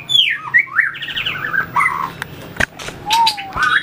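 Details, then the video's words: White-rumped shama in training for competition singing, beating its tail and running on the perch: a rich medley of high whistles and fluttering warbles, then a loud click and a low, drawn-out whistled note. "luyện chòe lửa hót đấu,đập đuôi chạy cầu"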